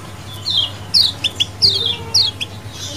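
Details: Lemon-bellied white-eyes chirping together as a lure recording: sharp, high, downward-sweeping notes in small clusters, spaced about half a second apart, with faint background hum.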